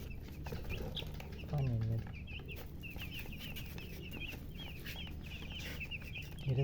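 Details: Freshly hatched chicken chicks calling: many thin, wavering peeps in a busy stream, with a brief low voice midway and steady low background hum.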